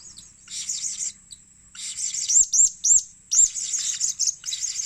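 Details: Blue-crowned hanging parrot calling as a lure: dense bursts of very high, thin, twittering chirps with sharp down-curving notes, about two per second, broken by brief pauses.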